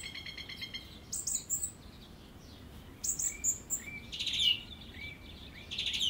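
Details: Song thrush singing varied phrases: a rapid ticking run at the start, then high squeaky notes and short clear whistles, some phrases repeated, with scratchy bursts in between and low background hiss.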